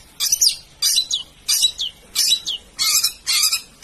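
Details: A Long-tailed Shrike sings harsh, scratchy, high-pitched phrases with quick down-slurred notes, six bursts about every half second, with no other sounds.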